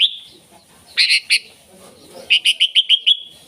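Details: Brief burst of sooty-headed bulbul song, played to call in wild bulbuls: a few sharp ringing chirps, then a quick run of six bright, evenly spaced notes.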